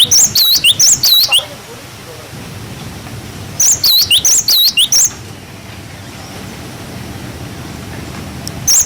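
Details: Cinereous tit giving its clear 'wucit wucit' tutor song for young birds in two quick bursts of looping high whistles, each about one and a half seconds, separated by a pause, with a single note near the end.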